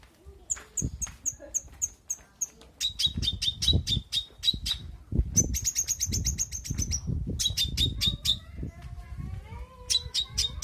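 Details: Long-tailed shrike (cendet) in Indonesia singing varied rapid bursts: runs of sharp high ticking notes, then strings of squeaky repeated notes changing pattern every couple of seconds, with a thin rising whistle near the end over low thumping background noise.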